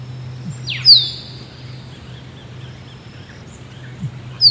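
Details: Musk duck call: a brief low knock, then a piercing descending whistle, with a second whistle beginning at the end over a steady low hum.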